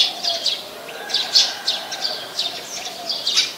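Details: Brown-throated sunbird, Ubon Ratchathani, Thailand, 13 January 2021, Nikon P1000 recording. Quick bright chirps, some doubled, repeat several times within a few seconds over a soft low drone.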